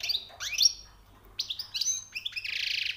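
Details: Short goldfinch phrase: rising chirps, a pause, then twittering notes ending in a buzzy rattling trill.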